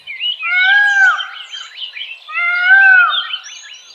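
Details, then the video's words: Calls of an adult male Indian peafowl, two long arched nasal wails about two seconds apart, tangled with many fast twittering notes from other birds throughout. "Ah e vous venez d'entendre le cri du p mal. Puissant, aigu et facilement reconnaissable, ce cri peut porter sur une grande distance."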